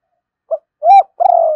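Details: Decoy spotted dove cooing to stir wild doves to answer: a brief soft note, a louder arched note, then a drawn-out rolling, slightly falling coo.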